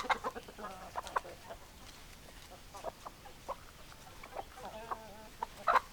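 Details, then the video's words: Hens clucking in short scattered bursts, with a few louder sharp clucks and drawn-out notes standing out over a low murmur of other birds. "Chicken Sounds Noises Hens Clucking Roosters Crowing"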